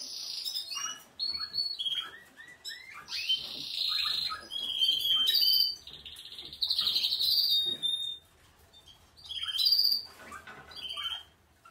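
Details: Canary song from Portuguese Harlequin, Spanish, Malinois and Spanish Timbrado breeds: a long run of varied phrases, rapid rattling trills, high whistled notes and chirps, broken by short pauses.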